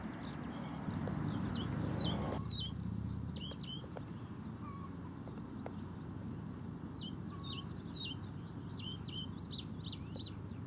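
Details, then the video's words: A male European pied flycatcher singing on migration at Portland, Dorset, gives quick, high, sweet two-note phrases repeated steadily, over a low rumble of wind or distant traffic and a few soft lower whistles. "Singing Pied Flycatcher"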